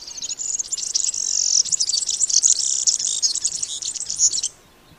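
A European Serin sings a hurried, jingling twitter of very high, thin notes run together without pause for over four seconds, then stops.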